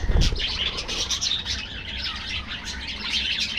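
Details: Budgerigars in an aviary colony give dense, overlapping high chirps and warbles, with a low thump near the start.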